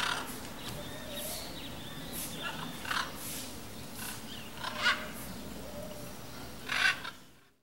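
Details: Harsh, grating squawks, spaced about every second or two, come from a blue-and-yellow macaw flock feeding on fruits in an imperial palm tree, with two stronger rasping cries near the end before sound fades out.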